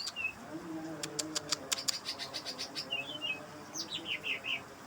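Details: Greater green leafbird calling at night, played to lure other leafbirds: short chirps, then a fast run of sharp notes falling in pitch, mixed with a burst of rapid dry clicks and a low steady hum.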